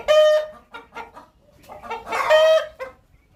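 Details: Domestic hen before laying an egg, giving a loud drawn-out squawk, a few short clucks, then a second long nasal squawk.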